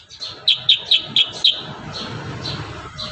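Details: Lively kurincang song used to tutor young birds: five crisp high chirps at regular quarter-second intervals, then softer fading notes over a low rumble.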